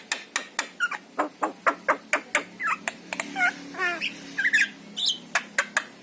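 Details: Javan myna, yellow-eyed form, singing as a lure for pet mynas: a steady train of dry clicking squawks, then a burst of quick jumbled, gurgling whistles before the clicks resume.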